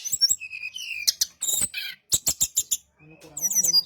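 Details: A brown-chested jungle flycatcher sings as a lure for others of its kind: high chirps and falling whistles, then a run of five sharp clicking notes, ending in soft twittering.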